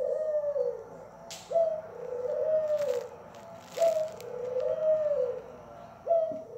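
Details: Pet Barbary dove singing: a short high opening note leading into a long, drawn, slightly falling coo, the two-part phrase repeated roughly every two and a half seconds, three full cycles with soft indoor background hiss.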